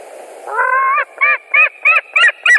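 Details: White-tailed eagle visiting its nest in Latvia on 29 July 2019 at 20:48. It gives one drawn-out harmonic note, then a quickening series of five short, rising, yelping notes about three per second. The background is quiet.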